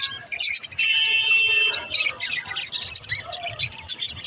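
Lovebirds chatter in a dense stream of high, shrill chirps and squeaky twitters.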